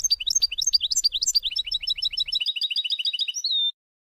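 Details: European goldfinch song for tutoring young birds, 2020: a rapid cascading series of sweet twittering notes that settles into a steady repeated rhythm and ends on a drawn-out whistle.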